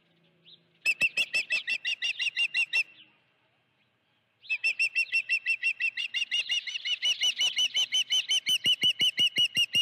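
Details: A Dunrovin Ranch osprey at the nest with a live fish, June 2019, afternoon. Two bouts of rapid, shrill chirping notes, split by a short silence, with the second bout longer and growing denser.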